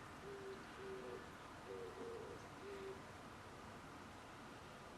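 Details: Pigeon recorded on 17 April 2021 giving a short series of low, muffled hoo notes, one doubled, over constant broadband background hiss, then falling quiet.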